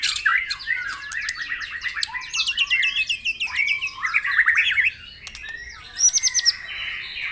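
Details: Singing white-rumped shama, morning recording played to encourage caged birds: rattling, rapidly repeated mid-pitched notes building into a rising chatter, a pause, then a short very high trill.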